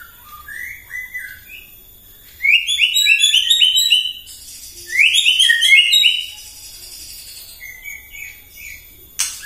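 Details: White-rumped shama in the morning, singing to provoke other birds: soft whistles, then two loud bursts of rapid repeated rising chirps about two seconds each, with quieter notes between.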